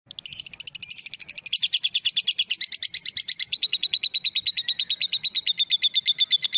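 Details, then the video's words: Lovebird giving a ngekek call: a long, rapid chattering run of sharp high notes, around seven per second, loud and steady for over six seconds, starting slightly higher and settling lower, with faint low background noise. "Lovebird Josan Betina Ngekek"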